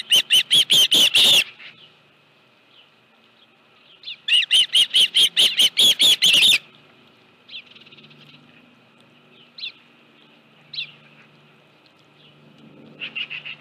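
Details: Osprey at the Dunrovin Ranch nest with a live fish, 25 July 2018, late afternoon. Two fast, loud runs of shrill whistled chirps are separated by quieter, isolated whistles, with faint low background noise.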